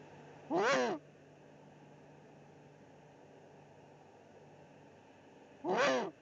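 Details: Eurasian eagle-owl pair at a nest in the Eifel, 13 March 2019, as the male brings the female her evening meal, probably a pigeon; two harsh, rasping calls about five seconds apart over a steady background hum.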